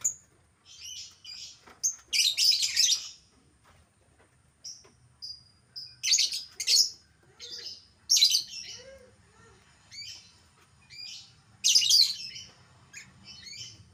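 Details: Albino lovebird, a prized caged bird: bursts of harsh, shrill chattering squeaks in clusters, with loud dense chatter around two, six, eight and twelve seconds and softer chirps between.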